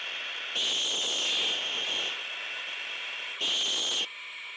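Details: Owl giving long loud defensive hisses at night while owlets wait for prey to be delivered; two harsh, breathy bursts, the first lasting about one and a half seconds, the second shorter, over a faint steady hiss from the owlets.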